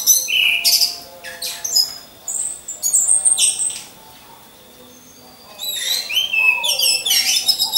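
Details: Orange-headed thrush caged and hung in a row for training: loud bursts of sharp high notes and rapid twitters, a quiet two-second gap with a faint low note, then dense varied chattering.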